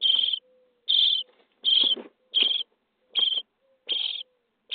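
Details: Starling nestlings aged 23 days beg inside a nest box during feeding: broad, wheezy rasps repeated just under once a second, with soft rustling and a faint drawn-out low tone in the pauses.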